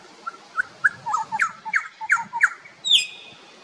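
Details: Grey shrike-thrush in Tasmania giving a run of short, quick notes that climb in pitch, then a clear, high, slurred whistle at the end.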